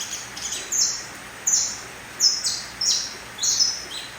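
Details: Young mutation canary, three months old, singing a run of short, bright chirps and downward-sweeping high notes, repeated unevenly about every half second, with a faint steady hiss behind.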